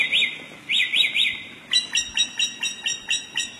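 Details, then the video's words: ['Samyong bird singing in the forest, with a short burst of high, rapid whistled notes, a pause, then a steady series of clear chirps repeated about four times per second.'] "suara burung samyong dihutan sungguh indah"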